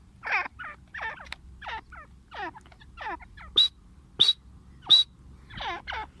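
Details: Female grey francolin (teetar) giving softer, scratchy, descending notes mixed with three sharp, piercing high notes, over a low background hum.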